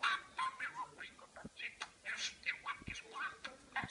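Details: Pet parakeet talking: rapid run of chattering, speech-like syllables with harsh squawky notes and short clicks, bursting irregularly across four seconds in a quiet room.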